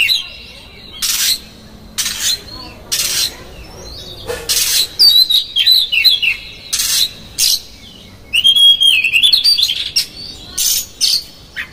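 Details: Lure song of an Oriental magpie-robin, meant to make a male fan its tail and get agitated: loud harsh buzzy bursts alternate with clear, twisting whistled phrases, several strong passages across nearly twelve seconds.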